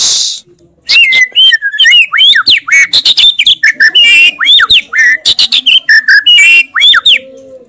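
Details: Actively singing white-rumped shama (murai batu), described as full of 'isian' fills with loud 'tembakan' shots: a dense, rapid stream of varied whistles, sweeps and chattering notes, with a brief hiss at the start.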